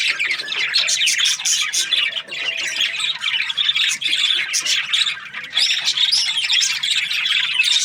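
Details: A happy budgerigar keeps up a continuous, loud, high warbling chatter of squawks and chirps with hardly a pause from start to end.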